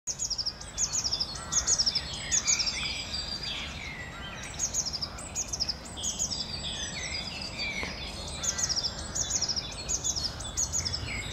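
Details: Great tit song recorded on 20 April 2021: high, bright repeated two-note phrases, sharply pulsed and given in bursts, with other birds calling lower and a steady background hiss.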